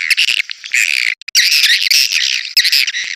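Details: Swiftlet call used to draw birds into a crowded bird house: harsh, high twittering squawks run together in long continuous bursts, with one brief pause near the middle.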